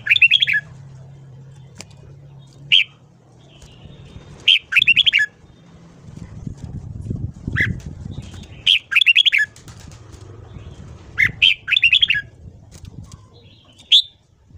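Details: Red-whiskered bulbul morning song, used to train and stir a newly caught bird toward a long ché-style voice: short bright warbled phrases of quick notes repeated at irregular gaps over low background rumble.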